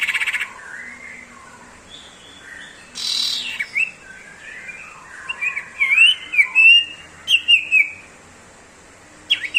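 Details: Common iora song in the sirtu ngebrem style: quiet at first, then a run of sharp whistled notes rising and falling in quick succession, with a brief broadband noise partway through.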